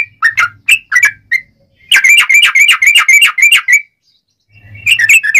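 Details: Song of a sooty-headed bulbul, used as a lure for catching wild birds: a few separate chirped whistles, then a rapid rattling run of bright notes, a pause, and another burst.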